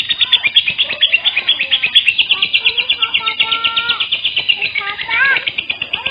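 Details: Lure sound of lovebirds, used to draw other lovebirds in: a dense stream of high, shrill chirps in quick rhythmic pulses, with steady whistled notes and a few upward-sweeping calls woven through.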